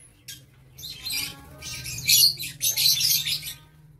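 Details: Caged lovebirds in an aviary, 7 April 2023, in a dense, almost continuous spell of loud, shrill, grating screeches over a low steady hum.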